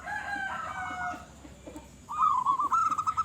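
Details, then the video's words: Local zebra dove, described as a big-voiced, actively singing bird; a drawn-out harmonic call is heard first, then the dove's quick trilled, pulsing coo phrase. "Perkutut Lokal Gacor Suara Besar"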